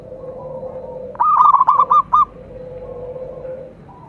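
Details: Single rippling phrase from a local zebra dove: about six quick staccato coos over about a second. A soft, lower steady tone runs before and after it.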